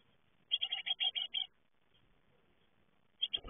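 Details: A young great tit leaving the nest gives a quick string of about seven harsh, high chattering notes, then quiet; a few more notes return at the end over a sudden low thump.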